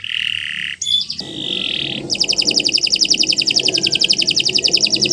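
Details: Canary song for training cage birds: a sustained buzzy tone, a brief break, a hissing note, then a fast even trill of sharp repeated notes near four per second, over a soft low background rumble.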